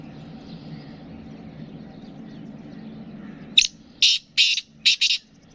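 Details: Kala teetar, the black francolin, gives a sudden harsh call of five rasping, scratchy notes, grouped one-two-two, after a few seconds of low background hum.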